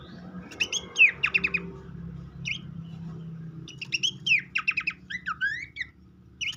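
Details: Babbler song used as a lure to stimulate an untrained captive bird to sing: scattered bursts of rising whistles and quick stuttering trills, with a steady low hum behind.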